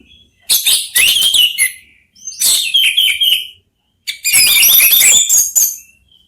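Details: Three orange-headed thrushes answering each other: three loud, dense bursts of rich warbled and chattering notes, each about one to two seconds long, separated by short pauses.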